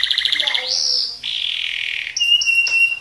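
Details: Colour canary in energetic speed roll and tembak singing, meant as tutor material for other birds, shifting from a fast pulsed rattle into long sustained whistled tones and sharp ringing notes.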